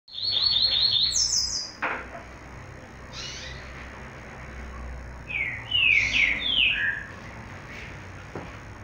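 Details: Female yellow-bellied seedeater, captive-bred (ninhado), in a recording labelled for the collector; high thin rapid trills near the top of the range, then a pause and a few descending slurred whistled notes, over low background hum.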